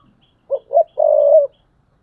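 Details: Spotted dove decoy bird giving one clear coo phrase: two short hollow notes followed by a longer, steady, drawn-out low coo, in a quiet background.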